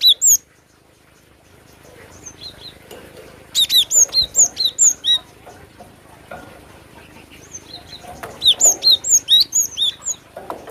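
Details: Cinereous tit delivering bright, high whistled phrases: a brief opening note, then two runs of seven or eight quick slurred whistles after a quiet gap, over low background hiss.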